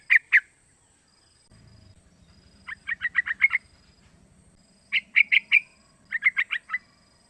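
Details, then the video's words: Young sooty-headed bulbul aged three months, calling to prompt other young birds to imitate; short clusters of four to five bright chirps, rising and falling, separated by silences, with a low faint hum in the background. "Suara Panggilan trucukan muda pancingan trucukan agar bunyi"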